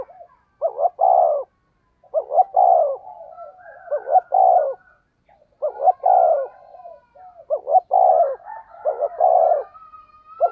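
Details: Decoy spotted dove in the earthy 'giọng thổ' voice, giving the urging 'thúc gù' coo: low, hollow two-part coos, a short rising note then a longer swelling one, repeated about every two seconds with soft murmurs between.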